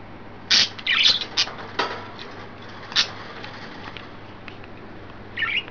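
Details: Pet budgerigars, a green, a yellow and a white bird, excited and playful on 29 May 2012: a burst of sharp clicks and bright chirps early on, a pause, then a final twittering chirp.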